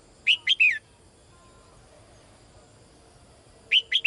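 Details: Female bird calling the male: a quick three-note phrase of bright, sweeping high chirps, repeated after about three seconds, over a quiet background with faint soft whistles.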